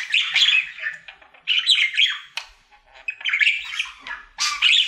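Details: Happy-sounding male pet budgerigar in his daily singing routine, giving chattering warble bursts of about a second, full of squeaks and grating notes, separated by brief quiet gaps.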